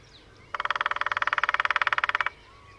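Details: Displaying lesser spotted woodpecker, part of a pair holding territory at Sandemar Reserve, Sweden, drumming in early morning sunshine, recorded by parabola: a long steady machine-gun roll of about twenty-five dry knocks, with faint birdsong before and after.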